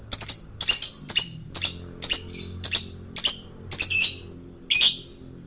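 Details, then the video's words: Male lovebird in lively song, used as a lure for catching birds: sharp, high-pitched chirp bursts, each a quick cluster of notes, repeated roughly every half second, about nine bursts over a quiet background. "KICAUAN LOVEBIRD JANTAN GACOR PIKAT BURUNG"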